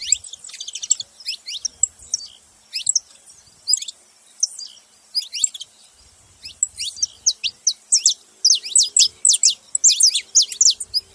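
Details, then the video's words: Saffron finch calls arrive in loose clusters of quick, high, descending chirps, sparse at first, then building into a denser, faster run of sharp notes over the last few seconds. "canário da terra fazendo barulho"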